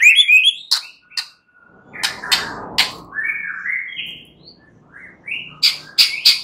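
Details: White-rumped shama (murai batu) stimulus song for night use, meant to get birds singing freely and loudly: varied phrases of sweet whistles, sharp clicks and short slurred notes, some rising, with brief pauses between bursts.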